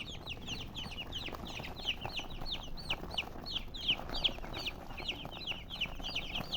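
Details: Hen-colored chickens give a lively stream of sharp, high, hooked chirps from several birds, tumbling over one another at a quick, irregular pace.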